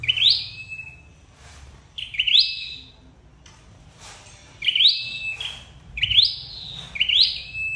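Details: Red-headed flowerpecker call played as a trapping lure. Bright, rising whistled notes with level tails, heard in bursts separated by a long gap, with faint rustling and low hum.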